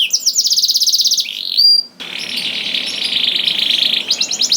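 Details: Canary song meant to provoke other canaries to sing: a fast rattling trill, a short level whistle, then a long steady buzzy warble before a renewed quick trill.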